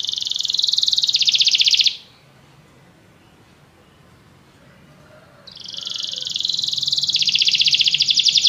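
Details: Canary singing, the song lasting 25 minutes: a loud, fast rapid trill around 2–8k, held steady for about two seconds, a pause of near silence, then the rolling trill resumes and continues to the end.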